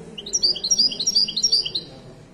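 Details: Widani-style Moroccan goldfinch in song at a Casablanca bird market: a rapid run of clear, high, piping notes, each bending up then down, repeated about five times a second over a faint low background murmur.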